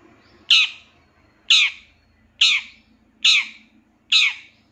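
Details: Long-tailed shrike heard in a master recording used to train captive birds, said to be full of fill-in phrases. Five loud, harsh, rasping squawks arrive about once a second, each short and falling off quickly, with faint low hum underneath.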